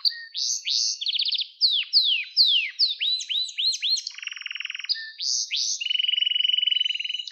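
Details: Canary song recording used to train young canaries: varied looping and falling whistles in quick succession, a rough buzzy rattle in a lower register, then a sustained rapid level trill.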